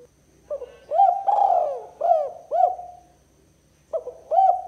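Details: Spotted dove giving a 'kuk 2' style coo used to lure rival doves: low, hollow coos with rising-falling looped notes, in phrases of several quick coos, a pause, then a fresh phrase; quiet background.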